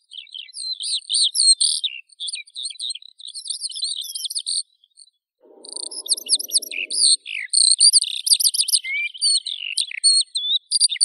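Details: Eurasian skylark pouring out high chirping and trilling phrases, pausing briefly near the middle before resuming with rapid downslurred notes and buzzy runs; a faint low rustle underneath.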